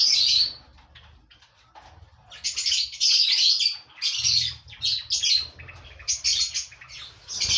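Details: Five pairs of lovebirds in a breeding colony make high, scratchy squawks in clustered bursts, some overlapping. A steady low hum sits in the background.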